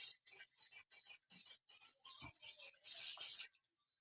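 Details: Swiftlets in Kalimantan calling: a steady series of short buzzy chirps, about three per second, swelling to a louder burst before stopping.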